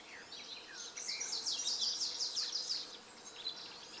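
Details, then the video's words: Greenish warbler in Poland, 03/06/16, sings a brisk, high-pitched jingle of about a dozen rapid, slurred notes over two seconds, with a few thin chirps before and after. "Greenish Warbler"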